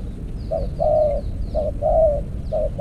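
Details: Spotted dove coos at an earthen decoy trap cage, mellow low notes alternating short and long, with faint thin high chirps of small birds above.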